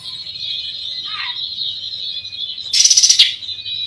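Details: Kacer (oriental magpie-robin) singing in a style said to rile opponents: an even, high whistled trill with a brief lower note, then a loud, rapidly pulsed, harsh chatter.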